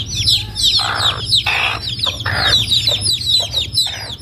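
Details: Village chicks with an adult chicken in Noldang: constant shrill peeping from many chicks, broken by several short, harsh, lower clucks in quick succession from a larger bird.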